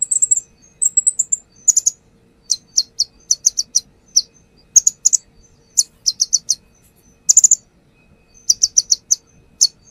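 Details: Brown-throated sunbird lure recording of a settled bird showing off its repertoire: rapid bursts of three to five piercing high chirps, interspersed with brief sweeping whistles, repeated across the clip.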